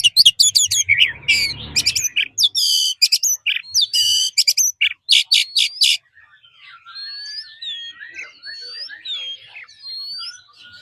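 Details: Forest-style song of a kept Oriental magpie-robin trained daily: six seconds of loud, harsh, buzzy stuttering notes with some low rumble, then quieter, clear rising and falling whistles at a distance.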